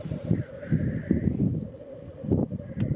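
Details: Black grouse displaying at a lek at World's End, North Wales, on 17 February 2018; low, dense bubbling and cooing pulses roll on continuously, with a faint drawn-out hiss in the middle and a few sharp clicks near the end.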